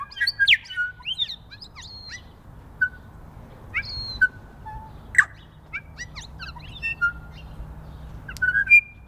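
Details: Several New Zealand bellbirds forage in snow on spring's first day; an opening cluster of rapid chirps and slurred whistles gives way to scattered single notes and short bursts, then a final flurry of calls.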